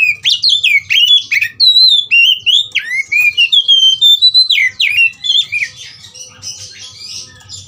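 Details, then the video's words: Oriental magpie-robin provoked to fight, delivering a fast stream of loud whistles with sweeping downward slurs and rising notes, tapering into softer high twittering. "BIKIN EMOSI dasar Kacer "EDAN" tarung tak mau diam"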